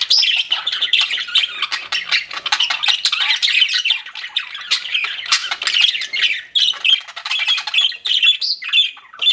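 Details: Budgies kept as pets keep up a thick, unbroken warbling chatter, rapid raspy chirps and whistled squeaks overlapping throughout.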